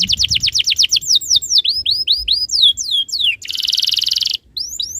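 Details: Canary singing a tutor song meant to set other canaries singing: quick repeated downslurred whistles speeding into rolling phrases, then a sustained buzzy trill before whistles resume.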